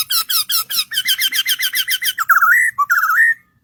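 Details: Singing bird: a rapid, even series of about twenty chirped notes, then loud rolling warbled whistles with a short break before a final rising phrase.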